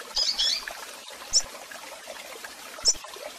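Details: A female double-collared seedeater that calls a lot opens with a quick burst of high chips, then gives two isolated sharp notes about one and a half seconds apart over steady noise.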